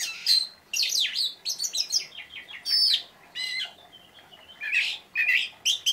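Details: Oriental magpie-robin singing energetically in its 'tembakan' burst style: rapid bright whistles and sweeping chirps in quick bursts, some notes rising and falling steeply, separated by brief pauses.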